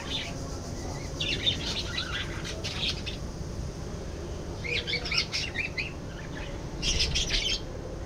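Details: Budgies chatter in three separate bursts of rapid, scratchy squawking and twittering, with quieter gaps between them and a low background hum.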